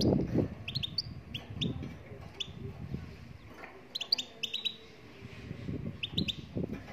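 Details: Singing Moroccan goldfinch gives bright, high, upward-flicking notes in small clusters of two to four, with pauses between bursts. Low thumping and murmuring sounds fill the background.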